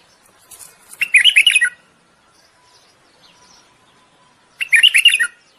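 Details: Mating song of a common bulbul to encourage a female to breed: two loud, chattering warbled bursts of quick notes, each under a second, separated by a few seconds of quiet.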